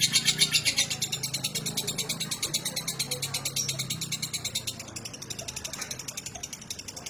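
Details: Female lovebird of the fighter type, kept for long-duration singing: rapid, harsh, high chattering pulses, about four per second, running without a break, over a low background hum.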